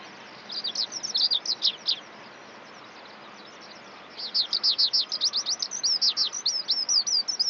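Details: Song of the Eurasian skylark: bursts of fast, high, descending chirps, a quiet gap of about two seconds, then a long run of rapidly repeated sharp trilled notes.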